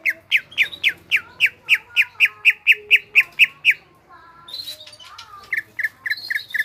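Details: Greater green leafbird (cucak ijo) singing energetically, a fast series of loud sharp downslurred whistled notes about four per second, then a brief pause and a rougher buzzy phrase before more repeated whistled notes.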